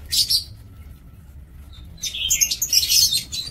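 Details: Aviary lovebirds kept for breeding, 2 October 2024: a short burst of piercing, high chirps, a near-silent pause, then a dense run of sharp squeaky chattering from several birds.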